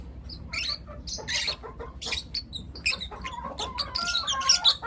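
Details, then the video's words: Morning chirping from four lutino lovebird youngsters: clusters of raspy high chirps separated by short gaps, with a few thin whistled tones near the end and low room hum beneath. "Lutino LoveBird Chirping Sounds - four Cute LoveBird Kids"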